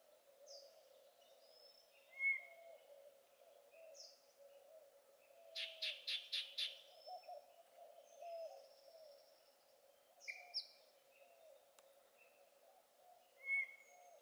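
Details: Yellow-breasted Chat at Cibola NWR, Arizona, 7 June 2020, singing disjointed phrases: high whistles, squeals and a quick run of five harsh chucks, with pauses between, over a steady low hum.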